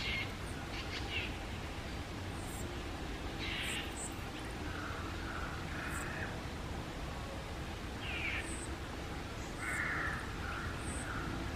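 A young Greater racket-tailed drongo gives harsh, scratchy calls in short bursts every couple of seconds, over a steady low rumble of wind or handling noise.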